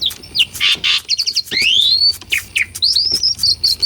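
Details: Asian pied starling song, recorded for real, used to spur stalled birds: harsh noisy notes, a long rising whistle, quick chips and buzzy trills packed closely together.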